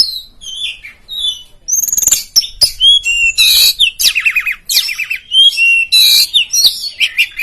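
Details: Oriental magpie-robin of the poci type in nembak and ngeplong competition song to provoke rivals: soft falling whistles, then a loud run of sharp chips, buzzy bursts and swooping whistled notes.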